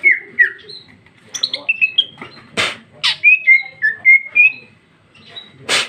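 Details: Female green leafbird in full ngeplong song with a lavish fill; quick slurred whistles rise and fall between loud broadband knocks, then a run of clear, even whistled notes.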